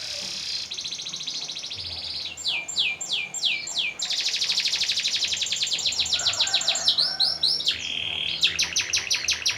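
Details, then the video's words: Canary singing long rolling song, known as ngeroll panjang, used for training and contests: a steady high buzz gives way to fast sweeping whistled phrases, then long rapid rattling rolls and quick repeated notes. "Suara Burung Kenari"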